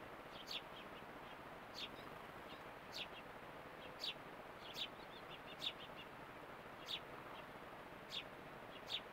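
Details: Fledgling house sparrow exploring a garden with a bird bath in Calgary, Alberta, Canada: short bright chirps, roughly one every second, over a steady soft background hiss.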